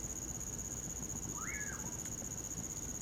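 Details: A single slurred whistle from a common pauraque (bacurau), rising and then falling, heard in winter over a shrill steady cricket trill and the soft crackle of a campfire.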